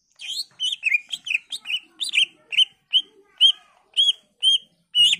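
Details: Greater green leafbird singing persistently with varied phrases, used to provoke replies from other leafbirds: a busy run of chirps that slows into evenly spaced, clear, loud whistled notes.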